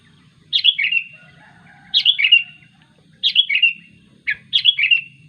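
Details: Sooty-headed bulbul calling its companions: bright, slurred chattering phrases that drop in pitch, each under half a second, repeated about every 1.3 seconds, four bursts over a soft low background hum.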